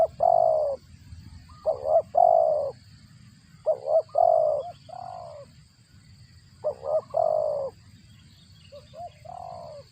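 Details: Spotted dove feeding its chicks, its voice said to sound like a cricket: clipped, hoarse coo notes in groups of two or three, each group about two seconds apart, over a steady high electrical whine.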